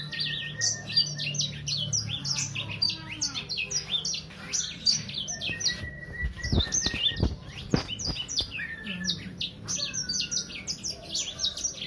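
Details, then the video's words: Juvenile Sangihe hanging parrot, about three months old, pouring out high rapid chirps and twittering downslurs continuously, interrupted midway by a few sharp knocking clicks. "Burung sanger paud..durasi 2 menit tanpa jeda."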